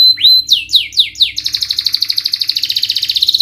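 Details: Canary lure song for stressed or silent canaries: a clear rising whistle, then several descending slurred notes, breaking into a very fast, even, high rattling trill.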